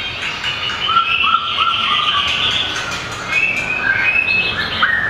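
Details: Small long-tailed white-rumped shama in contest song, flicking its tail on the perch: a series of short repeated whistled notes, followed by higher sliding whistles and warbles, with a few clicks.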